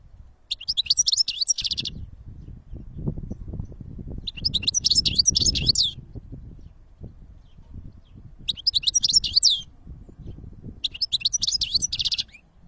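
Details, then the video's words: In nature, a European goldfinch delivers four bouts of fast, liquid, high twittering, each lasting one to one and a half seconds, separated by pauses, against a low continuous rumble. "Goldfinch singing in nature (الحسون في الطبيعة )"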